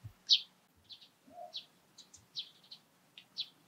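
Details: Eurasian tree sparrow calling in the morning: short, bright chirps repeated irregularly, some doubled, with a faint lower note midway and quiet background hum.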